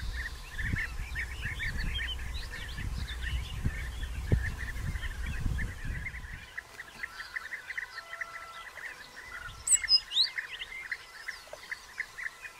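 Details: Early June 2021 at bee-eater nest burrows still being dug, a time of courtship feeding and copulation; a busy stream of short trilled calls in the first half, thinning out later, with a higher whistle briefly near the end.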